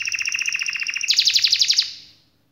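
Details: Canary song, described as a long rolling 'gacor' performance: a fast trill of repeated notes that shifts into a higher, louder rapid series of descending notes before fading out.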